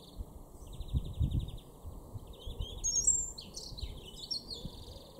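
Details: European Greenfinch in a garden in Norden, East Frisia, northwest Germany, in April, gives fast, slightly buzzy trilled twitters in two short bursts, then higher chirps, over low rumbling wind or traffic noise.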